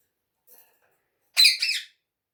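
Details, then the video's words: Rose-ringed parakeet, a pet talking parrot said to speak Urdu and Hindi, giving a harsh, raspy two-part squawk about half a second long, with a faint short note before it in an otherwise quiet room. "Bolane wala Tota amazing talking parrot Urdu and Hindi"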